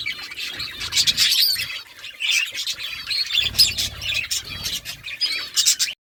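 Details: Budgies chattering as they eat: dense overlapping chirps, squeaky warbles and short squawks run almost without pause, with faint low rustling beneath.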